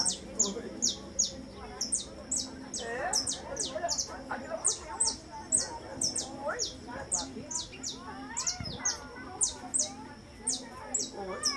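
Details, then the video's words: Saffron finch, the male described with orange forehead and face and lemon-yellow body, singing: sharp high notes sweeping downward, repeated rapidly throughout, over softer warbled phrases lower down and some background chatter. "O canto do Canário-da-terra-verdadeiro"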